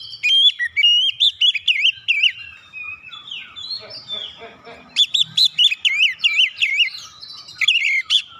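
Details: Oriental magpie-robin song used to trigger other birds to sing: fast repeated whistled, warbling notes, roughly two to three per second, a quieter softer passage mid-way, then another loud run of rising-falling phrases.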